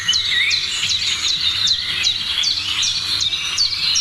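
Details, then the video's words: Morning birds in full song: crisp, high chirps falling steeply in pitch repeat roughly twice a second above a steady background of twittering. "Morning sounds of birds"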